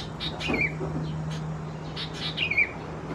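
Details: Nestling-age Sooty-headed Bulbuls in Khao Yoi, Phetchaburi province, Thailand, mid-June 2020, utter two thin downward-slurring chirps with scattered ticks, while a steady low hum runs underneath.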